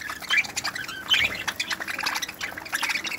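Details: Many budgerigars in an aviary chatter at once, a dense wash of overlapping squawks, chirps and warbles with a few sharp whistled notes standing out above the babble.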